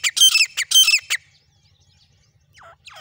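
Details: Grey francolin calling with a quick run of loud, rasping, high notes for just over a second, then near silence broken by two faint, falling chirps from another bird.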